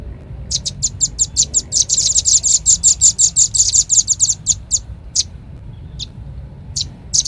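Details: Rambatan paruh merah, the velvet-fronted nuthatch, in a lure call: a fast string of high, hard chips that quickens mid-way, then thins to scattered single notes with gaps of about a second near the end.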